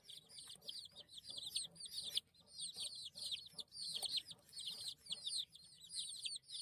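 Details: A group of baby chicks giving steady high-pitched peeping. Each short chirp bends downward, and the chirps overlap in dense, continuous runs with occasional short breaks.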